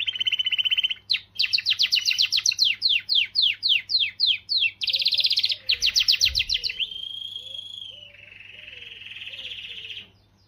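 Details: Canary song intended to excite females: a buzzy trill, then a fast series of descending whistled notes, a bright rattle, and a long even rolling trill fading out; soft low chirps from another source are heard midway.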